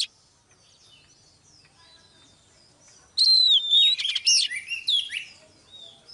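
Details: Caged female Oriental magpie-robin used to coax a male into song: after near silence, a loud burst of clear whistled slurs and fluty varied notes lasting about two seconds, then a fading whistle.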